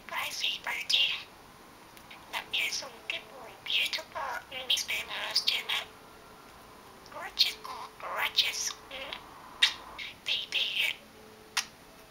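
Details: A male pet budgerigar talks in quick, whispery, high-pitched bursts of mimicked speech with short pauses between phrases, saying things like "You're beautiful", "Good boy" and "Gorgeous boy", partly mashed together.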